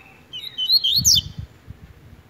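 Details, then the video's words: Brown-plumaged double-collared seedeater of the tui tui song style, singing in competition with another bird. It gives a quick, high twittering phrase of sliding, buzzy notes in about one second, then low thumping knocks fade in the background. "COLEIRO TUI TUI PARDO RUSTICO NETO DISPUTANDO"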